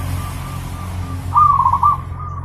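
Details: Zebra dove song used as a master recording for training pet birds: one quick cooing phrase of rapid pulsed notes near one pitch, rising slightly then trilling, over a steady low rumble.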